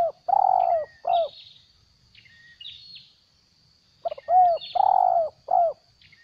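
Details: Spotted dove kept as a trapping decoy, still spirited while growing its tail, repeating the plain stuttering "gagap" call: low hollow coos preceded by quick clipped notes, in two series several seconds apart, with soft chirps of other birds between them.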